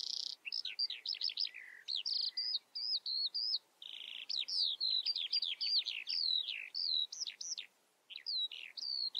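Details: Eurasian skylark pouring out long, energetic song: rapid high chirps, repeated downward-slurred whistles and short trills strung together almost without pause, with one brief gap toward the end.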